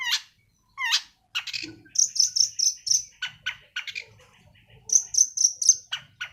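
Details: Sweeping chirps open this 'sembur' song from a young long-tailed shrike still in moult, then come clusters of high thin whistles alternating with harsher lower notes.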